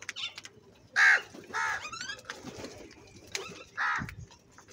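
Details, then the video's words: Crow calling loudly at feeding time: three harsh, raspy caws spaced about a second apart, each short and broad-toned, with faint chirps from other birds in between. "Clear crystal Crow bird Crowing sounds | Different kauwa ki awaz - Feed time Crow Sound Loudly"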